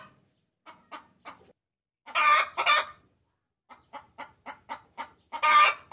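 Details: Lure call of a hen summoning a rooster: soft scattered clucks, two loud hoarse squawks in quick succession, then rising clucks ending in another harsh squawk.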